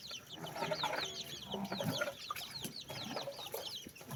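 Chicks keep up a steady, overlapping chorus of high, thin peeps, many birds calling at once, with some lower clucking and scuffling underneath.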